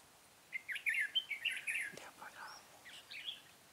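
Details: Red-whiskered bulbul decoy bird singing a fighting song during trapping, recorded 13 March 2017: bright warbled phrases in a busy burst, then a pause with a faint sweeping note and softer chirps.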